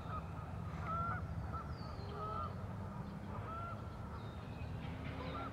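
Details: Geese in the Warner Park Lagoon, Madison, Wisconsin, USA, give short, nasal honks, several scattered over a few seconds, over a steady low rumble of wind or distant traffic.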